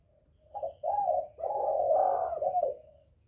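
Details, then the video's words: Spotted dove lure call intended to attract males: quieter, blurred cooing swells into a long, throaty note over a low background hum, with a faint higher hiss near the end. "Tiếng chim cu gáy gọi kích bổi, gọi trống"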